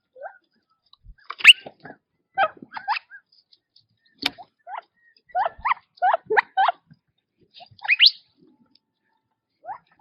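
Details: Quail feeding in their natural habitat, with sparse, soft rising chirps in small groups, scattered sharp clicks, and long quiet stretches between calls.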